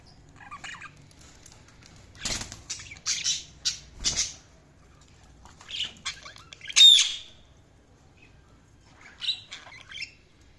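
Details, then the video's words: Budgerigars give scattered scratchy chirps and short warbled phrases separated by silences, with a few sharp clicks or wing-like thumps and one clear whistled note. "budgies chirping sounds"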